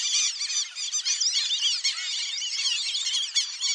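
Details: A flock of wild black-bellied whistling ducks gives a steady chatter of high, squeaky whistles that overlap with no pauses.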